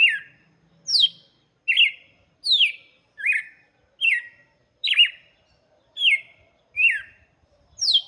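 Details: Red-cowled cardinal song used to teach chicks, a steady series of short, sharp descending whistled notes repeated roughly every 0.7 seconds, bright and clean against a quiet background.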